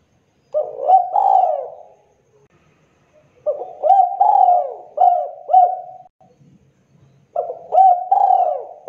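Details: Spotted dove in the clear, lively kuk 2 calling style, used as a lure for trapping: low, mellow cooing phrases of several rolling notes, repeated in three bouts separated by short pauses.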